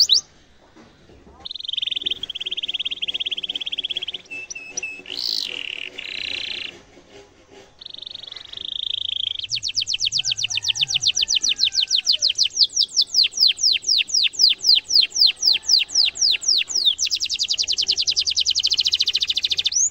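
A canary sings a long, bright song of sustained trills and rapid repeated chirps.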